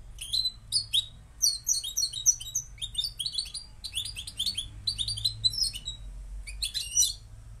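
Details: Moroccan goldfinch singing in short bursts of bright, high twittering notes broken by brief pauses, with a final burst of rapid chirps.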